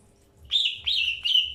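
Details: Greater green leafbird during early pairing, giving three quick slurred chirps in a row, each one dropping slightly in pitch.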